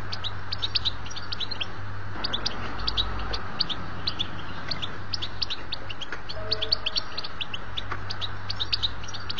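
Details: A European goldfinch song used to excite and teach young goldfinches: a rapid, tinkling twitter of bright high notes running without pause over a steady low hum.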